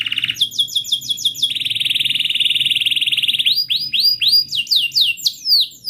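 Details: Long canary song used as a lure for a canary that has stopped singing: quick upswept notes, then an extended rapid rolling trill, followed by a run of loud rising whistled sweeps.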